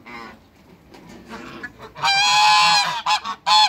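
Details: Two African geese in a backyard with other waterbirds, a few soft low notes giving way to a long, loud, brassy honk held for about a second, then two shorter blaring honks.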